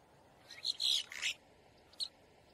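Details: Boat-tailed grackle giving distress, alarm or warning calls: a quick cluster of harsh, scratchy high notes over about one second, then a short sharp note after a pause, against a quiet background.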